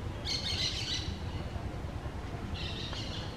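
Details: Green parakeets at their nest give a loud, harsh squawk followed two seconds later by a second shorter, hoarse squawk, with a continuous low outdoor rumble beneath.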